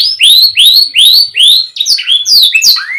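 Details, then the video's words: Canary singing loud rising whistled notes, about four evenly spaced upward slurs, followed by a quicker jumble of descending and rising phrases. "KENARI MACET❓MALAS BUNYI⁉️ KASIHAN‼️Nih Kicau Paling Ampuh Dan Mewah"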